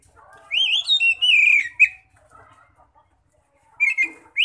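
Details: Oriental magpie-robin singing in ngeplong style as a lure for other magpie-robins: one loud rising then descending whistled phrase, soft warbling after, then short loud whistles returning.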